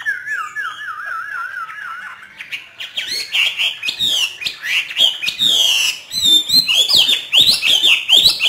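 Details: Hwamei trained by a northern Vietnamese keeper in free song: opens with a low wavering warble, then loud varied whistles and rapid slurred notes in energetic bursts.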